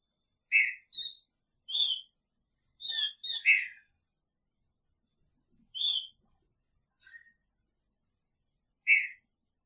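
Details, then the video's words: Green-winged saltator sharing a cage with its female: clear harmonic whistles in short groups, some notes doubled quickly, separated by pauses of up to three seconds, in a quiet indoor setting. "Trinca Ferro com sua fêmea!! Picharro"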